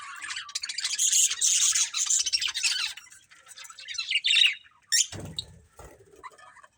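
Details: Breeding pair of budgerigars chattering in a dense, buzzy warble for three seconds, then sharp single chirps, with a low knock near the end.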